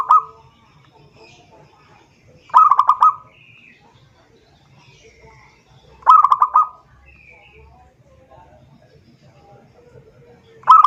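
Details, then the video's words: Zebra dove calling a rival, used as a lure: rapid rolling coo phrases recurring about every three and a half seconds, with soft faint chirps and murmurs in between. "suara perkutut memanggil lawan"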